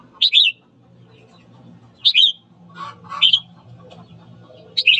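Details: Red-whiskered bulbul morning song, used to excite birds to fight: four brisk whistled phrases about every two seconds, each a high note bending into a quick warble, with a lower chattering phrase between.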